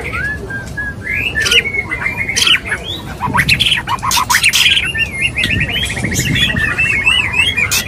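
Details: Male white-rumped shama (murai batu) in its mating call to a female, mixing clear whistles, harsh squawky bursts and a fast trilled rattle near the end, set against steady low background noise.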